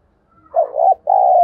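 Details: Spotted dove lure call, used to stir up wild doves: a single low, mellow coo phrase in two parts, a wavering first note and then a longer steady hum that is cut off at the end. No other sounds.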